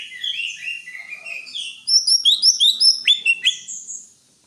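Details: Greater green leafbird in song, opening with a soft warbled run of mid-pitched slurred notes, then a bright string of high, quick chirps and upward-flicking whistles before falling silent.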